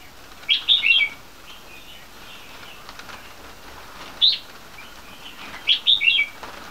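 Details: Three-month-old crossbreed bulbuls, red-whiskered crossed with yellow-vented, from a champion bloodline, kept at a farm: short bright chirping phrases in three bursts, quick warbled notes with quiet gaps between.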